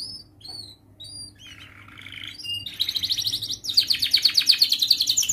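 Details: Canary song recorded to train young canaries: short whistled notes and a rough buzzy phrase, building into a loud, fast, sustained high trill of rapid repeated notes, with a steady low hum underneath.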